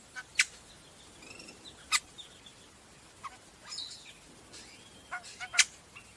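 Sumatran laughingthrush giving sharp, high clicks and short chattering notes with a few thin whistles, spaced irregularly over several seconds; no other sounds stand out.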